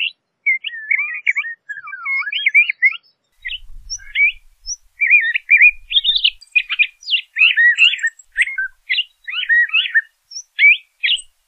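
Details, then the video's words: Continuous song of a LeConte's thrasher: rapid, jumbled warbling phrases with twisting slurs and quick chirps, barely pausing, with a faint low thump partway through. "LeConte's Thrasher Bird Singing, Calling, Chirping - Cuitlacoche Pálido Canto - Toxostoma Lecontei"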